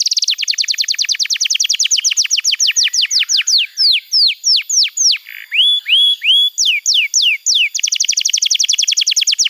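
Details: Canary song for tutoring young canaries: fast dry trills of down-swept notes that slow into separate longer, louder slurred whistles midway, then break back into a rapid, even trill; no other sounds.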